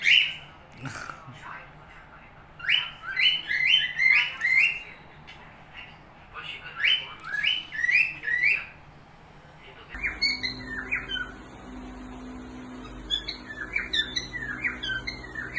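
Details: Cockatiel in Dubai whistling bright, clear phrases in quick bursts of rising and falling notes.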